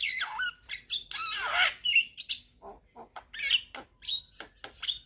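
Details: Javan myna singing busily and nodding, its song full of varied fill-in notes: drawn-out harsh squawks and slurred whistles, then brisk alternating low clucks and high sharp whistles, about three per second.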